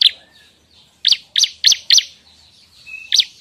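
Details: Bar-winged prinia used as a lure and training song: loud sharp double-pulsed chirps repeated every third of a second, with a faint steady high tone in the background.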